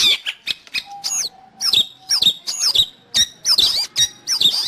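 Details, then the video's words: Long-tailed shrike song for training caged birds or luring wild birds: repeated arching whistled phrases with sharp chips, plus a thin level tone in the background. "Suara burung Cendet / pentet"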